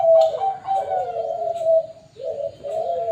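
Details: Deep, rolling coo of a Bangkok zebra dove at a bird farm: a long wavering phrase, a short break, then the cooing resumes, steady and soft in tone.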